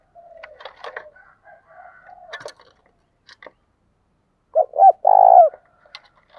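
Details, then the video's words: Decoy spotted dove calling to provoke wild doves: scattered chirps, clucks and clicks open, then a loud coo phrase of short notes and a long rolling purr. "Chim Cu Mồi Thúc Đấu, tiếng gáy hạp bổi, bổi nghe gáy"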